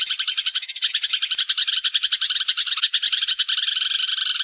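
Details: Flock call of sparrows used as a lure sound: a busy chorus of sharp, rapid chirps overlapping without pause, loud and steady from start to finish.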